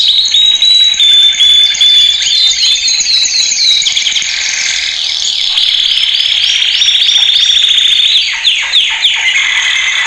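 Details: Male canary training song, played loudly: long whistled tones and fast trills, a stretch of steady buzzy rolling notes, and closing sharp downward sweeps.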